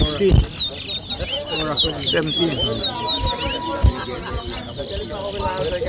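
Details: Whistling-competition towa towa birds in Berbice, Guyana, 2023, deliver dense bursts of sharp high whistled phrases, rising and falling, against crowd chatter and occasional knocks.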